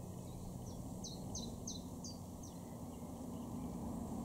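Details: A common chiffchaff (Phylloscopus collybita) sings six high, clipped notes, about three a second, in a garden in Norden, East Frisia, northwest Germany, in June 2023, over distant traffic rumble and a steady hum.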